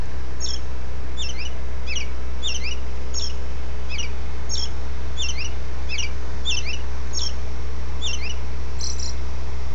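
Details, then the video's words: Robin's dawn song: a long, regular run of high, short, hooked chirps, roughly three a second, ending with a brief buzzier note, over a low steady hum. "Robin dawn song"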